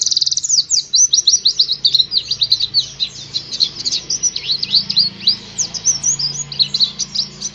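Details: Oriental white-eye song used to get caged birds singing: a long, lively stream of high, sharply down-slurred chips and twitters, delivered rapidly and evenly throughout, with a low background hum.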